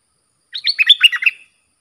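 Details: Bulbul (local name dok taeng) song for tutoring hand-reared young and fledglings, in sab dok, boen and rik styles: one quick phrase of about six bubbly, warbled notes in a clean, quiet recording.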